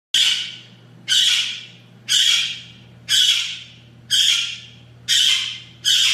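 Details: Blue-winged Amazon, a newly identified parrot species from Mexico with a distinctive call, giving harsh, broadband squawks repeated about once a second, seven in a steady series, with a low hum underneath.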